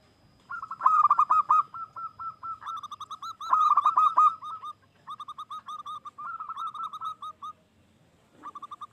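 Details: Indonesian local zebra dove singing freely, meant to draw other doves into calling: overlapping runs of quick, clipped coos, one bird louder and nearer, the phrases broken by short pauses.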